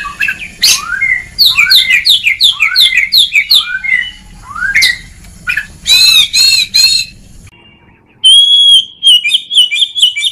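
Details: Oriental magpie-robin singing ngeplong style for training lazy birds: rapid chattering, sliding notes in quick runs, a series of rasping buzzy notes, then a clear sustained whistle and fast trills after a pause.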